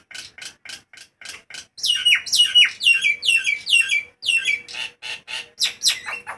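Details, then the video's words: A Nias hill myna gives loud lure calls in hot weather: loud, ringing whistles that slur sharply downward, in quick bursts after a run of short, dry chirps. "Suara Kerasss!!! jalak nias"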